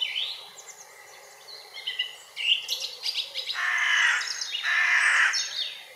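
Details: Hooded crow giving two long, harsh, hoarse caws in the second half, each drawn out and rasping, after a stretch of varied high chirps and twitters from other small birds.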